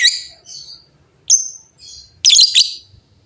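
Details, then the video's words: Lovebirds in a noisy answering chorus; mixed high whistled chirps and harsh raspy squawks in quick uneven succession. "LOVEBIRD GACOR GAYA MEWAH SEMUA LOVEBIRD JADI BUNYI RIBUT BERSAUTAN"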